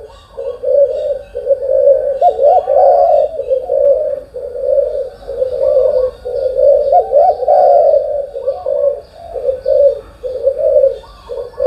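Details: Morning cooing of a spotted dove, soft low hoots run together into repeated phrases of several notes, about one phrase every two to three seconds, steady and unhurried throughout.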